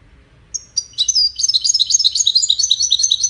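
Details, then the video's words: European goldfinch in a five-bird song contest, caged, opening with a lone high note and then pouring out fast, tinkling, chattering trills that continue without a break. "مسابقة افضل تغاريد 5 حساسين"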